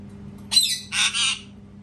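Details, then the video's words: Parrot screaming loudly: two harsh, raspy bursts in quick succession, the second longer and broader, over a faint steady indoor hum. "PARROT SCREAMING TOO LOUD | PARROT SCREAMING SOUNDS"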